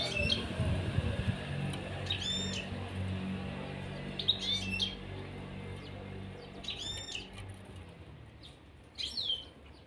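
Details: A caged pair of European serins gives short, high, jingling bursts of twittering notes every two to three seconds over a steady low rumble.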